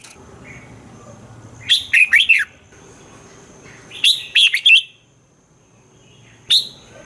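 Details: Red-whiskered bulbul kept in a cage, its song used to stimulate other birds: clipped, bubbling phrases of four or five quick notes, repeated twice, then a single sharp note, with a faint background hum.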